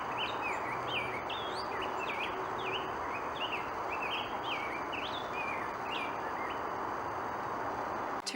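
Rose-breasted Grosbeak singing a continuous, rich warbled song of quick rising and falling whistled phrases, robin-like but sweeter, over a steady hiss of background noise.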